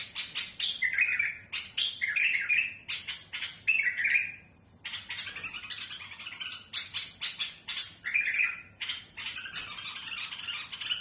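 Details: A bulbul with a rough, harsh voice, used for tutoring chicks, sings chattering phrases about a second long, repeated with short pauses, mid to high pitched with harsh, scratchy edges.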